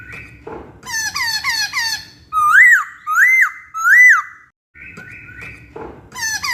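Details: Laughingthrush tutor recording for songbird training: a run of chirpy falling notes, then three loud arched whistles about one per second, a short pause, and more quick slurred notes.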